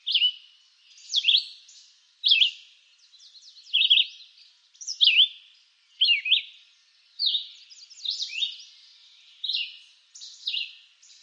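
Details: In eastern North American woods a red-eyed vireo sings clear, loud, short phrases roughly every second, each a quick jumble of slurred notes differing from the last, with little other sound.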